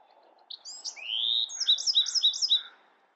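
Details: Bewick's wren song: a few short high introductory notes, then a long rising buzzy slur, then a quick trill of about five sharp repeated notes, with the whole phrase lasting around two seconds.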